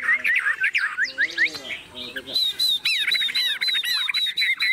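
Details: Caged Chinese hwamei, fearless of people, singing rapid jumbled whistles and chatter, then a run of repeated sharp rising whistled notes, with a man's voice in the background.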